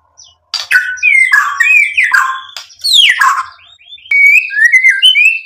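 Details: White-rumped shama provoked into answering song shows learned material as a series of loud downslurred whistles, followed by a steadier warbling whistled phrase.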